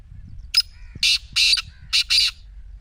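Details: Harsh rasping call of a black francolin, meant to prompt a silent partridge to call. Two rhythmic phrases, each a short clipped note then two longer buzzy bursts, over a soft low background hum.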